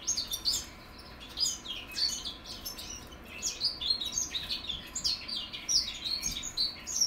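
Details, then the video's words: Young goldfinch mules from 2021 working out their song, a busy, high-pitched chatter of rapid chirps, tinkling notes and short slurs, with a brief lull before the twittering resumes more steadily. "goldfinch mules learning how to sing"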